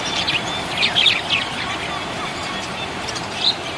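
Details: A happy budgerigar gives a quick flurry of scratchy high chirps early on, then quieter scattered notes and one final sharp chirp, over steady background noise.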